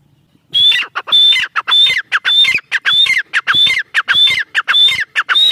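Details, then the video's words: Female black francolin calling: a rapid series of loud, harsh notes, each opening with a high whistled tone then buzzy descending phrases, repeated about 100 times a minute. "female tertar awaz"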